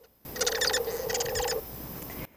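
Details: A zebra finch raised from hatching by Bengalese finch foster parents, hearing only Bengalese finch song, sings two quick bursts of buzzy, nasal, harmonic-rich notes copied from its foster father, over about a second, then faint room hum.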